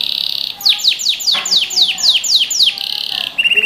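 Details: Canary singing to teach young birds: a buzzy held trill, then about eight loud downward-sweeping chirps at a steady quick pace, closing with a short rattling trill.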